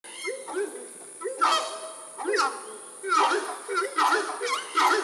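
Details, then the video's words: A pair of horned screamers sitting on an observation deck at Chingana give loud, honking, goose-like calls in bursts roughly every second, some notes rising and falling, over a steady high hiss. "Horned Screamers Loud"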